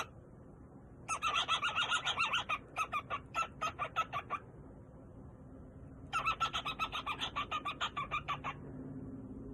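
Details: Male pet cockatiel singing in two bursts of rapid, raspy chattering notes, each lasting about one and a half to two and a half seconds, separated by several seconds of quiet room hum.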